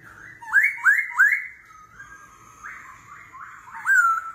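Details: Competitive singing by a laughingthrush in forest-voice style, continuously switching voice ('kéo thuốc lào'): three quick upward-swooping whistles, a pause of softer warbled notes, then a strong rising whistle near the end.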